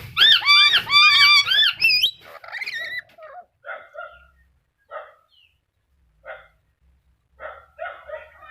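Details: Loud, arched, screechy notes from a black-capped lory come in a rapid burst for about two seconds, then fade into softer, scattered chattering notes with pauses between.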